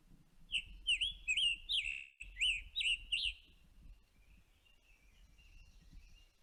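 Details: A Scarlet Tanager (Piranga olivacea) sings a quick run of about eight burry, harsh, robin-like phrases over nearly three seconds, with a sore-throated quality, followed by fainter distant birdsong.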